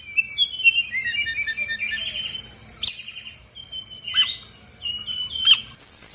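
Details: Female Brown-chested Jungle Flycatcher, Bali, in full song as a lure for reluctant birds: overlapping high whistles, slurred rising and falling notes, and a couple of sharp downward sweeps near the end.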